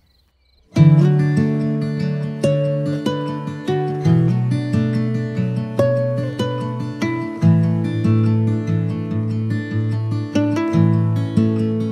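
Strummed acoustic guitar music plays throughout, with no animal sounds heard.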